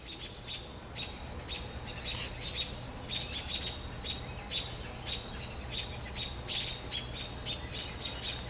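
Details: American robins aggressively attack a great horned owl to protect their young, giving sharp, high, clipped alarm notes in irregular bursts of nearly two per second over a steady low background rumble.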